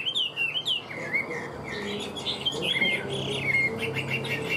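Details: Caged hwamei kept as a prized songbird delivers rich whistled song, sliding notes and quick warbled phrases running continuously, with faint background hum indoors.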